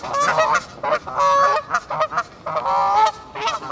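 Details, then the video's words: Canada geese in a castle park in Herten, Germany, honking loudly and almost continuously, several birds overlapping in harsh nasal bursts. "Kanadagänse im Hertener Schlosspark"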